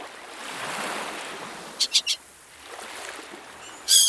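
A gull gives three quick, harsh, high calls in a row over steady surf, then a final louder squawk at the end.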